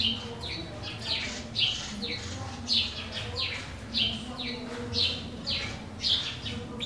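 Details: Bewick's wren at its nest in a wooden garden birdhouse, northern Ciudad Nezahualcóyotl, State of Mexico, giving sharp buzzy downslurred high notes, repeated about every half second to second, above a low background rumble.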